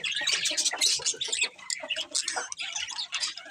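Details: Budgies chattering in a busy, overlapping stream of scratchy chirps and squawky twitters, loud and nearly unbroken, easing slightly toward the end.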